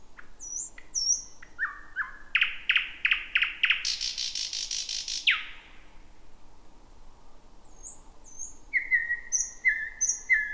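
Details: Night song of a thrush nightingale, first heard in 2026 near midnight in thick bushes near the Roadyfield area. High whistles, then a rapid knocking sequence and a harsh rattle, a pause, then repeated paired whistles.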